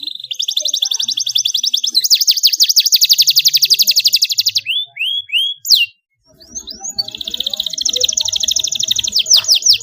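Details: Young canary learning to sing, answering a lure recording with rolling trills (ngeroll) and a luxurious cengkok style. Long, fast, high-pitched rolls alternate with downslurred sweeping notes, a brief silence near six seconds, then buzzy trills resume.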